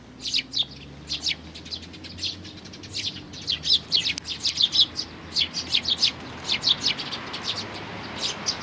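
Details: Eurasian tree sparrows, fledgling chicks arriving with their parents on 11 May 2019, keep up a dense stream of sharp high chirps that overlap and come in quick bursts, against faint low hum.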